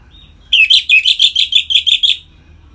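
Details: Orange-headed thrush, or anis merah, giving a loud ngeplong song meant to excite captive birds toward breeding: about ten quick, sharp, slightly rising chirps in under two seconds, then silence.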